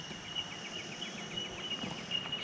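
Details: A chorus of Bell Miners, heard all around in bushland with dead trees overgrown by 10–15 m tall Lantana, gives high, bell-like 'tink' notes that overlap into a steady ringing, with a faint low rumble beneath.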